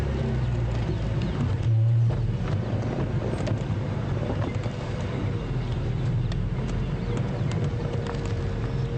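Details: Morning safari drive at Djuma Game Reserve on 4 February 2015, with a steady low engine rumble and wind buffeting the microphone throughout, and no animal voices clearly heard.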